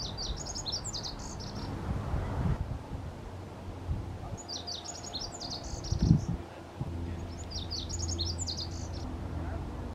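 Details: A Lazuli bunting, filmed in May 2022, sings three bright, high, rapid phrases of varied chirps, each about two seconds long, over a steady low rumble of wind or distant traffic.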